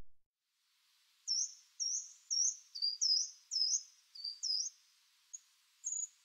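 Coal Tit giving a quick string of thin, very high squeaky notes, about two per second, some slightly rising or falling, with faint background hiss.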